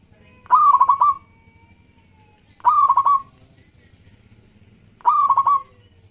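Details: Local zebra dove singing actively, a recording used to lure other doves: three stuttering, pulsed cooing phrases about two seconds apart, each a rolling burst of rapid notes, over a low steady hum.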